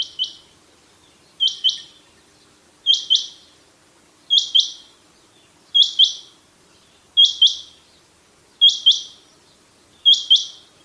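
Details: A rain quail in a hunting setting gives a sharp, metallic double note, 'whit-whit', repeated steadily about every one and a half seconds against a quiet background.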